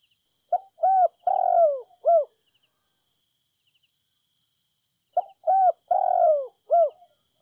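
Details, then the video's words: Spotted dove decoy from Ninh Thuận cooing gently to lure wild birds; a phrase of hooked short notes around one long, downward-sliding coo, repeated after roughly four seconds of quiet, with a thin insect drone in the background. "Cu gáy GÁY GỌI NHẸ NHÀNG kích bổi nhanh nổi, cu gáy mồi đất Ninh Thuận gọi bổi, kích bổi nhanh gáy"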